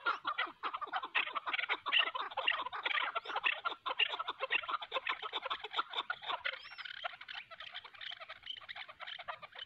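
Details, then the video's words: Chukar partridge, a hunting decoy bird fighting a wild chukar in the hills: harsh, clucking notes in rapid, uneven bursts, about two per second, continuing steadily with a short pause near the end and no other clear sounds. "shikari chakor aur pahrhi chakor k darmiyan zbardas layi😍 keklik sesi"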